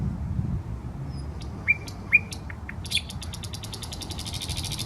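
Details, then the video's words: In a Saint Petersburg park on the Smolenka, a nightingale gives several sharp, spaced notes followed by a long, fast, dry rattle of repeated pulses; distant low rumble underneath. "Песня соловья"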